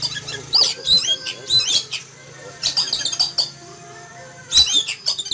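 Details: Oriental magpie-robin in a cage in a yard in the morning, noisy and frightened after seeing an eagle in flight: three loud bouts of piercing, scratchy high notes with brief whistles, separated by pauses.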